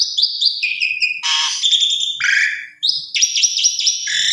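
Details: Asian pied starling lure song to make other starlings reply: sharp stepped whistles, then harsh buzzy chatter, a falling slurred note and renewed bright chattering phrases.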